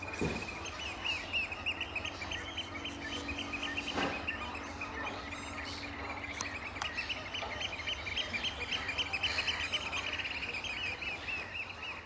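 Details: Eurasian oystercatchers at Amwell Nature Reserve in April, giving a piping display near a snipe. Shrill, rapid piping notes run almost without a break throughout, over steady background noise and a few faint clicks.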